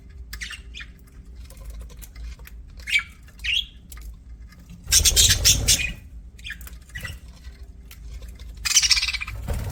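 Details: Sparse budgie chirps and short rising whistled notes, broken by two bursts of loud harsh chatter, one mid-clip and one near the end, over quiet low hum.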